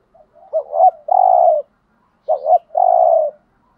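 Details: Spotted dove kept as a lure bird, bought in Dak Lak, Vietnam, cooing: a quick double-noted rising coo then a long burry low hoot, the phrase given twice with a pause between.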